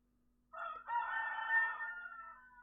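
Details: One of several roosters in a backyard flock lets out a single hoarse cock-a-doodle-doo: a short opening note, then a long, drawn-out tail fading over about two seconds, above a faint steady hum.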